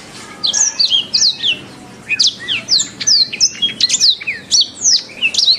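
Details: Canary song from a masteran training recording used to teach other songbirds to sing: quick, clear whistled sweeps, mostly falling slurs, delivered in bursts of two to four notes about every half second, with no other sounds.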